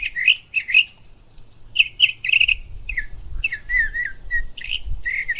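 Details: Bird chirping in short bright twitters and slurred whistled notes, grouped in uneven bursts, with low background rumble.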